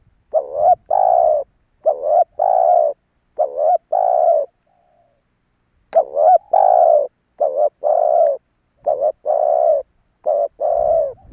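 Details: Spotted dove cooing, played as a lure to stir and draw in other doves; soft, low, hollow coos delivered in short clusters of two to four notes, separated by pauses of about a second, in an otherwise quiet setting.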